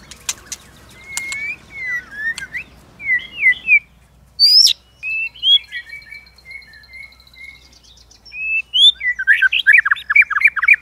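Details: White-rumped shama singing a varied fighting song with many voices, meant to provoke other shamas, with repeated tail-flicking clicks; clear whistled and warbled phrases around mid-high pitch, sharp clicks early, a long steady whistle, then a rapid burst of trills at the end.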